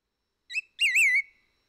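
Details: White-whiskered laughingthrush, endemic to Taiwan, recorded at Hehuanshan mountain on 17 February 2022, gives a short clear whistle then a longer, wavering, slightly falling whistled note; White-whiskered Laughingthrush.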